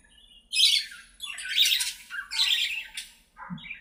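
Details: Playing budgerigars in an aviary give three loud, harsh scratchy squawk bursts in a row, followed by a brief softer chirp and a low thud.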